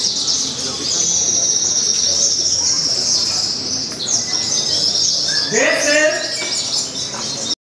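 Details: A sogon at a bird song contest in Tasikmalaya sings a long, hard, high trill held for several seconds, then breaks into lower, rapid, varied notes, with other birds and voices in the background.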